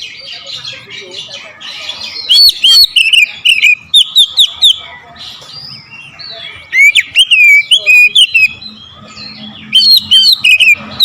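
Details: Oriental magpie-robin goaded into fierce song against a rival, showing off its repertoire. After a few seconds of soft chatter, loud bursts of bright whistled, rising notes mixed with harsh buzzy clicks come in three spurts.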